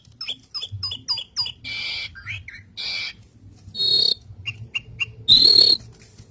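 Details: Pet-training song of the Asian pied starling: a run of five quick repeated chirps, then rasping bursts, short whistles and two loud harsh screeches.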